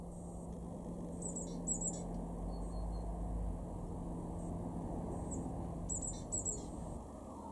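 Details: Great tit in a garden at Weener, East Frisia, northwest Germany, February 2023, giving paired bursts of shrill, rasping chatter near the start and again near the end over low rumbling background noise.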